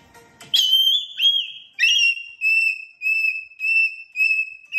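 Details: Caged cockatoo giggling while dancing in its cage, giving clear, high whistled notes, first sliding, then a steady run of short pulses about twice a second.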